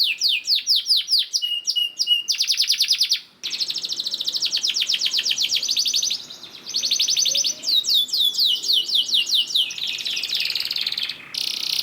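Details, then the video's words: Long-trilling canary song used to stir other canaries into singing. Varied fast trills alternate with harsh buzzy rattles and descending note series, and a short pause interrupts them. "PANCINGAN KENARI GACOR DOR NGEREK PANJANG INI AMPUH BIKIN KENARI LAIN BUNYI"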